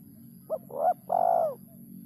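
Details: Spotted dove singing in the kuk 3 style: one soft three-part phrase, a short note, a rising middle note, then a long falling coo, with a steady low hum underneath.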